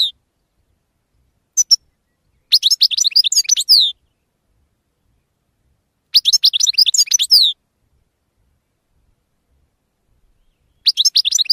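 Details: European goldfinch, 2016: short bursts of quick, jangling twitters, each lasting about one to one and a half seconds, separated by long silent gaps, with no other sounds.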